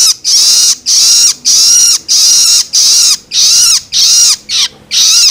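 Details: Noisy, raspy begging cries of a young long-tailed shrike, the loloan sound for stimulating adult birds, repeated evenly about twice a second, each screech carrying a faint downward-sweeping tone.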